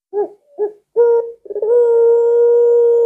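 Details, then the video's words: Collared dove coo in the pelung style. Two soft short notes, then a stronger clipped note, a quick flutter, and a long flat sustained low coo running to the end. "Tidak Terlalu Agresip Tapi Lengkungannya Bikin Puter Lain Ga Sabar Ingin Ikut Bunyi"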